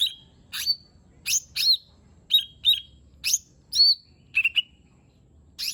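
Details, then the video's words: Lesser green leafbird song for prompting a silent bird to sing: separate sharp, high whistled notes about every half second, some downslurred, some doubled, with a quiet background. "Cucak Ijo Mini 💯 Nembak Isian Bagus Buat Pancingan Jomin Malas Bunyi Agar Cepat Gacor"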